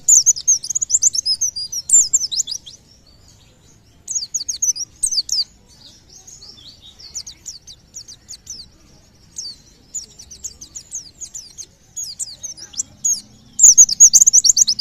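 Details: Pleci or white-eye singing, a song said to prompt other birds nearby to call: long stretches of fast, high, sharp chirps and downward slurs in clustered bursts separated by short quieter gaps.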